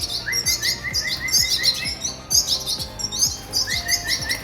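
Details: Red siskin (Spinus cucullatus) chicks in captive breeding beg to be fed with rapid, high, thin chirps and twittering over a steady run of short rising squeaks; faint low knocking beneath.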